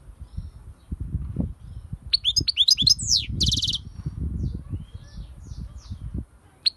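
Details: European goldfinch singing: a burst of quick high twittering notes with sweeping slurs and a rapid buzzy trill, over low rumbling background noise.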